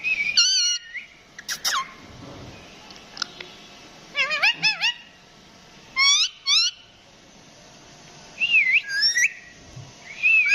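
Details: Rose-ringed parakeet talking, giving scattered bursts of wavering whistled and chattered syllables with pauses between them, against low steady background hiss.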